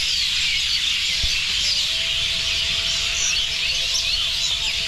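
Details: Dense, continuous chirping of a large flock of birds at a roost, where heavy droppings have whitened the ground below; countless overlapping high twitters form a steady wall of sound, with faint low tonal hums underneath.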